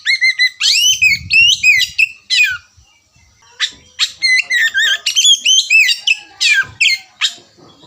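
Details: Oriental magpie-robin starting its busy ngerewek style of singing: dense run of loud, sweet whistles and sharp chirps, many sweeping down, in quick bursts with short pauses, a soft low rumble near the start.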